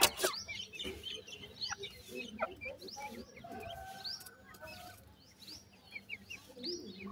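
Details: Feeding white francolin (gora teetar) chicks: a busy chorus of tiny high chirps and curved peeps throughout, over a steady low mechanical hum with faint tonal drones in the middle.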